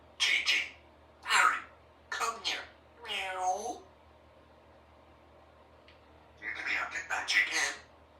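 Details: Pet female Congo African grey parrot, three years old, practising words and sounds at home: choppy talking syllables, a wavering meow-like cry in the middle, then a burst of rapid chattering words.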